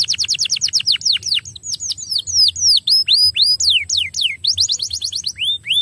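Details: Canary song used to stimulate other canaries to sing: a string of clear, falling whistled slurs, fast at first, then slower, spaced sweeps with occasional rising notes, over a faint low hum.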